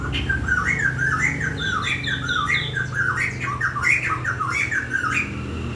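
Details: Bird pouring out continuous chattering song of quick, bouncing, slurred notes and squawks, dense and unbroken throughout, over a soft low hum.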